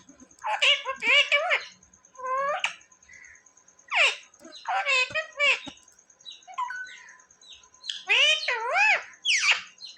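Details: Indoor pet parrot said to say mummy and papa; scattered speech-like phrases and wavering squawks over ten seconds, some low clicks and handling noises between phrases.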